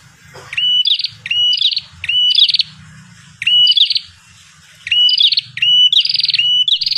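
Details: Prinia call, known locally as prenjak kepala merah, used as a lure: loud, sharp chirping bursts in quick rattling series, each burst a rising then high trilled note, repeated in groups about every second with short pauses.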